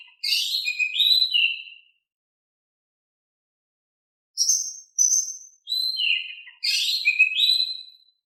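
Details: Oriental magpie-robin singing in a calm style meant to provoke reluctant birds into replying: a warbled whistled phrase, a long silence, then bursts of high sharp notes and descending whistles.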